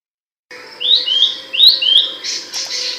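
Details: Abbott's babbler song, described as loud and sharp, recorded as tutor audio for training songbirds: after a brief silence, two pairs of clear upslurred whistles, each pair stepping slightly lower, then a short buzzy burst with faint high ticks.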